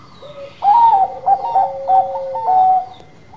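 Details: Zebra dove, Bangkok type, singing its cooing song as a lure for other birds: a low short note, then a loud rising coo, a string of clipped staccato notes over a sustained lower tone, ending on a level coo.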